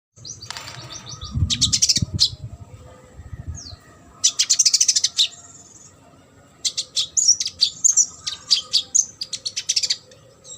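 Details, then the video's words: Olive-backed sunbird in lively full song, recorded as training material for competition birds: bursts of rapid, very high, sharp chips and trills, some slurred notes, with pauses between phrases and a faint low rumble early on. "KONIN GACOR ISIAN MASTERAN UNTUK BURUNG LOMBA."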